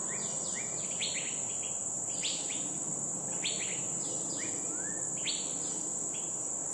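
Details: A friendly migratory Green-backed Flycatcher wintering at its roost in Dairy Farm Nature Reserve, Singapore, gives short, sharp, high rising and falling notes, several a second, over a steady insect buzz.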